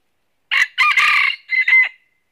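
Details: Crowing red junglefowl, a red-eared decoy used to trap wild junglefowl in northern Vietnam after meeting a wild bird: a loud crow with a short opening note, a long raspy middle and a strained final note.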